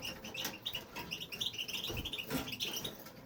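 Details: European goldfinch, a male kept in an aviary, in continuous song: quick liquid chirps and twittering trills in a busy stream, with faint low thumps and room noise beneath.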